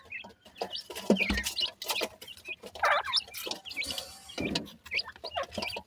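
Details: Grey francolin chicks, captive-reared, calling to one another: a busy chatter of high, thin chirps and short trills from several chicks, overlapping irregularly, with soft clacks and rustling in the background.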